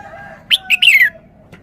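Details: Red-whiskered bulbul performing a three-syllable song style: a sharp upward note followed by a rolling, slurred warble that falls away, bright and clear over a quiet background.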